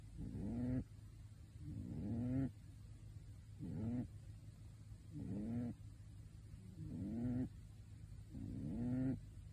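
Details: Rhythmic snoring from a sleeping pet pigeon wearing a bird suit. Six nasal, rising breaths, each close to a second long, recur about every one and a half seconds above a low hum.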